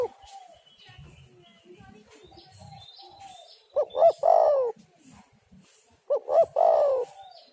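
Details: Spotted dove, a lively calling bird, used to lure other doves into calling; two loud cooing phrases, each two short rising coos then a longer drawn-out coo, about two seconds apart, over softer background coos and a faint high whistle.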